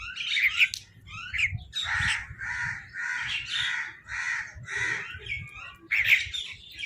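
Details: Crows giving food calls while competing for food: a run of about seven harsh, even caws in quick succession, each roughly half a second apart, bracketed by higher squawking chatter from other birds.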